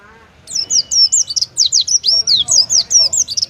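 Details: Pleci (Oriental white-eye) delivering the 'tembakan' song preferred by contest judges: brief quiet, then a dense run of bright, slurred, high whistles repeated rapidly for three seconds.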